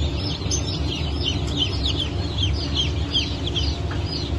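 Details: Chorus of newly hatched chicks, Brahma, Phoenix, Sultan and Appenzeller breeds hatched 9 May 2024, with clear shrill cheeps falling in pitch, several per second, over a steady mechanical hum.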